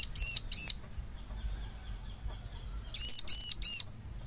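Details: Bar-winged prinia sound used as a lure for catching prinias: a quick pair of ringing arched notes, a silent gap of two seconds, then a rapid run of three, with a faint steady whine.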